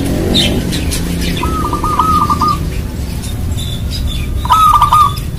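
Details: Trilled, bubbling cooing from a locally bred zebra dove in strong song, meant as a lure to set other doves calling. Two fast rolling phrases come about three seconds apart, with chirping birds nearby.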